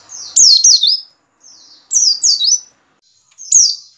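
A white-eye gives high, thin, slurred whistles in quick bursts of two or three falling notes, repeated every second or so, with nothing else to hear.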